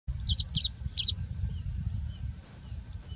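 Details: Singing bushlark singing in its habitat in India: short bursts of paired rising-falling notes, then thin high whistled slurs, over steady low wind rumble.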